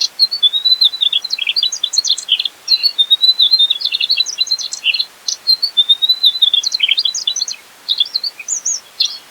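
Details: Mugimaki flycatcher in full gacor song, a masteran recording rich in isian: long dense run of high twittering notes, short level whistles and quick jumpy chirps, almost continuous for nine seconds.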